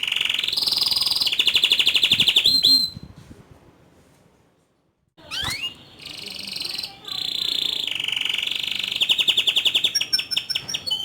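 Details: Canary in active song performing rolls and high shots: bursts of fast buzzy trills, a few seconds of near silence, then an upward sweep and more rolling trills ending in crisp repeated chirps.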